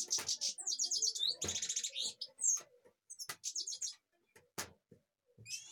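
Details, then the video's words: European goldfinch from Kashmir giving bursts of high, rapid twittering and liquid trills, separated by pauses and dry clicking knocks. "Goldfinch kashmir"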